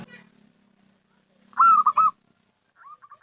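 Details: Local zebra dove call, used as a lure for trapping or attracting birds: a faint low rumble, then two loud, clipped cooing phrases close together, followed by a softer series of short, evenly spaced notes.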